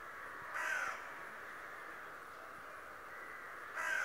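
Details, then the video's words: A talking raven that spies daily lets out two rough, hoarse calls roughly three seconds apart, with a steady hum beneath. "Der sprechende Rabe der mich täglich ausspioniert."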